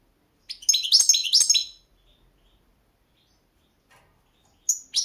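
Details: Competition recording of a Balkan goldfinch, Carduelis carduelis balcanica, 2022 world championship: a burst of over a second of quick, high tinkling twitters, then near silence, and a short chirpy phrase resuming at the end.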